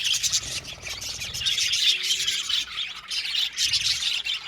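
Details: Many budgerigars in an aviary colony chatter at once, producing a thick wash of high chirps and warbles that swells and dips in loudness.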